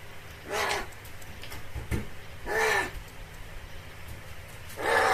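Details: Crow uttering a wailing cry compared to a crying baby, 'ogyaa': three hoarse, broad, half-second calls spaced roughly two seconds apart, with faint background knocks.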